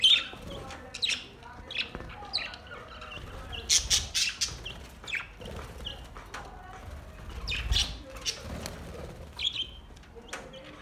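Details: Budgerigars singing, recorded August 4, 2023: scattered chirps and short warbled squawks near the top of their range, with clicks, wing flaps and a low rumbling background throughout.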